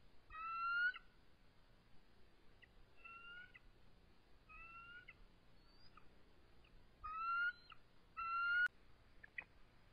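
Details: Resident eagle pair stressed at the nest on a March evening, calling and trilling in defensive posture as an intruder nears. Clear whistled harmonic notes, some rising, come in scattered groups, with louder paired calls near the end.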